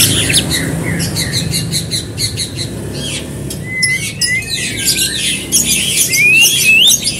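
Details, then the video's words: White-rumped shama song used as a lure to prompt another bird to sing: loud buzzy, scratchy bursts, then clear rising whistled notes and slurred phrases, over a steady low hum. "Murai batu Gacor pancingan cepat bunyi"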